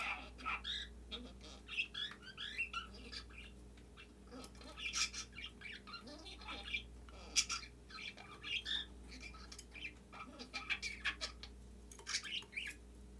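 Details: A roughly 7-month-old budgerigar talks into a nestbox in April 2021, chattering in rapid, scratchy bursts of warbled mimicry and clicks.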